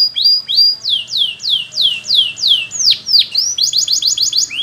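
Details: Belgian canary song built from repeated high notes that swoop steeply downward, about two or three a second, then breaks into a quick, even trill at the end.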